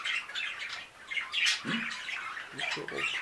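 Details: Chatter from five new budgerigars: quick overlapping warbled chirps and short squawks tumbling over one another, with a few lower rough notes mixed in.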